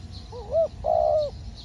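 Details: Decoy spotted dove used to lure wild birds during trapping, giving one coo phrase: a short, wavy, upturned note, then a sustained level croon tapering downward. Faint high chirps of other birds and a low hum in the background.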